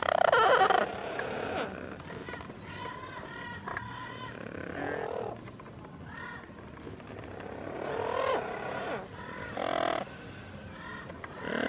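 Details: An Amazon parrot gives soft, throaty, harmonic cooing and warbling notes in short bursts every second or two, with a louder raspy call at the start, cooing toward yellow-fronted, yellow-naped and double yellow-headed Amazons.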